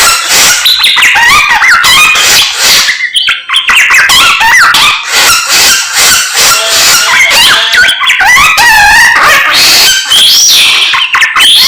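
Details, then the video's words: Energetic morning singing by a samyong: a long, unbroken medley of harsh chatter, bubbling trills and looping whistled slides, loud throughout. "SAMNYONG GACOR Menggemaskan DI PAGI HARI"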